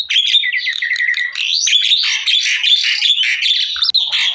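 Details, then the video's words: A Javan myna gives a "masteran" song meant to prompt other Javan mynas to sing: a loud, continuous jumble of harsh chatters, squeaky whistles and rising notes, with no pause across the phrase. "SUARA MASTERAN BURUNG JALAK KEBBO//JALAK KEBO MANAPUN AKAN IKUT BUNYI"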